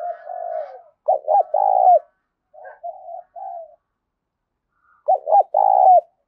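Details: Spotted dove song for luring wild birds to fight a decoy: a low drawn coo, a strong phrase of two arched notes and a long coo, softer middle notes, then the loud phrase repeated.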